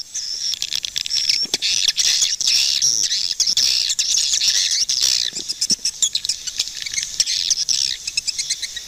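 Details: A steady mass of high swiftlet chirps and squeaks, many birds calling at once with scattered sharp clicks.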